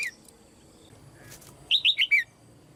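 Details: Female red-whiskered bulbul calling from a cage to stimulate other birds: after a brief soft rustle, one loud phrase of four quick, ringing whistles, each slurring downward, lasting about half a second.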